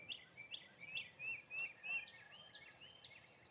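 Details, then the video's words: Birds sing at sunrise on Easter Sunday, a quick run of bright, high chirps, about two notes a second, some sweeping up and others dropping down, over a faint outdoor hiss. "the Birds singing"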